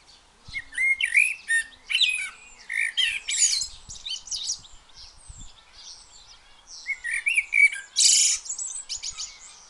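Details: Blackbird singing freely with loud, varied phrases of fluty whistles and scratchy twittering, a quieter gap in the middle, then another strong burst ending in a harsh high squeaky flourish; faint low thumps in the background.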